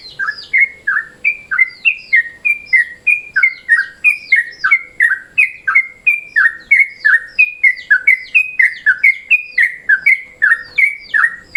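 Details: Trucukan, sooty-headed bulbul, in midday mode, a sound used as a lure. Continuous bubbly chattering of liquid, slurred two-part notes, about three per second, lively and unbroken.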